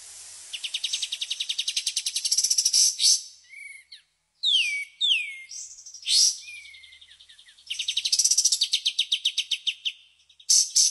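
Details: White-shouldered triller delivering 'tembakan' song: a rapid rattling trill, then a series of clear downslurred whistles and harsh buzzy bursts, before another quick run of repeated sharp notes.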